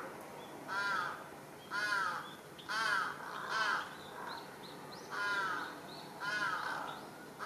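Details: Agitated large-billed crow calling from a utility pole in a residential neighbourhood on 1 July 2023; a steady run of six loud, rasping caws, roughly one per second, with faint higher squeaky notes between them.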